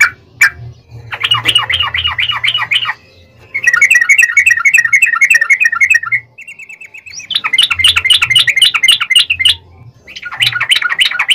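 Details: Yellow-vented bulbul song in the long rapid-fire style, played as a lure to make other bulbuls sing: bursts of fast, rattling chattered notes, several seconds each, separated by short pauses, with a faint low hum underneath.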